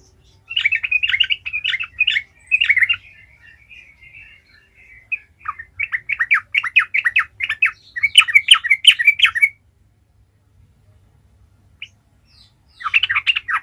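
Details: Sooty-headed bulbul delivering a long gacor ngalas lure song to make other bulbuls sing: several loud bursts of rapid, bubbly chattering notes, split by short pauses and a longer silence before a last burst.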